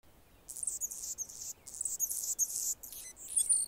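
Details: A male Anna's hummingbird defends its territory while a female feeds a baby in the nest. Very high, scratchy, buzzy chips and squeaks come in irregular bursts over about three seconds, with short gaps between them.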